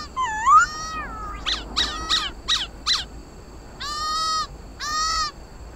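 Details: Khướu mun laughingthrush competitive song meant to stimulate caged birds: a rising whistle, a few sharp squeaky notes, then two longer harsh nasal notes with rich overtones.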